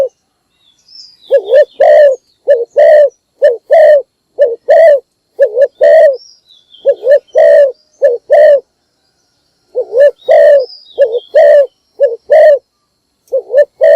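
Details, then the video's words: Spotted dove used as a decoy, calling in the morning to draw in other birds. It gives a long run of paired coos, each a warbling low note then a fuller, steadier coo, about one per second. Faint higher whistles come from other birds. "นกพิราบดัง birds - เสียงนกร้องตอนเช้าเพื่อเรียกนกของคุณ"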